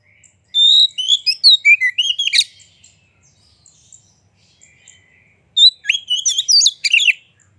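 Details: Two phrases of white-rumped shama song, played to push other shamas into singing, each a held whistle running into fast melodic whistles and a harsh finish, separated by about three seconds of quiet.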